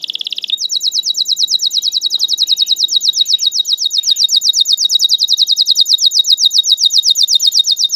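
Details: Caged canary performing a long lure song for young birds to learn: a brief buzzy note, then a steady fast high trill of repeated notes continuing without a break.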